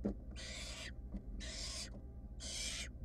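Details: Three drawn-out, noisy hissing screeches spaced about a second apart from wild barn owl chicks in a monitored nest box, still hunting for the mouse their sibling gulped down, with a soft low hum underneath.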